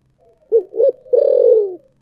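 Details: Spotted dove, thổ sấm voice: a pair of short clipped coos and a drawn-out, gently falling coo, over a faint low hum.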